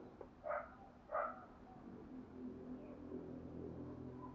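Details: Spotted dove kept as a decoy to provoke and train newly caught birds: two short, hoarse hooting coos about 0.7 seconds apart, then a low steady hum with faint background noise.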